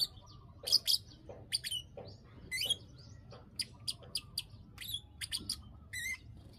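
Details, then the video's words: Bar-winged prinia (ciblek) lure call meant to trigger breeding condition: crisp high clicks in loose series, some doubled, and a short trilled note near the end, steady low hum behind. "pancingan burung klik klik agar birahi"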